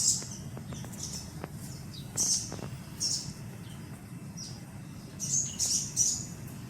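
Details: Sun conure baby making brief, high, wheezy squeaks in small groups separated by pauses, with faint clicks and a low background hum.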